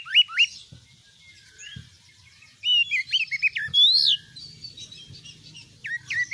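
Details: Oriental magpie-robin, a caged kacer bird, delivering rich song with steeply rising whistled sweeps, rapid chirps and a loud ringing note, broken by quiet gaps with soft clicks and low background noise.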